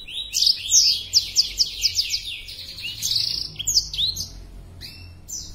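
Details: Black-throated canary, breeding condition and spreading its wings, sings a lively high song: quick run of sharp downslurred whistles, about five per second, then a buzzy rolling trill and scattered chirps, over a faint low hum.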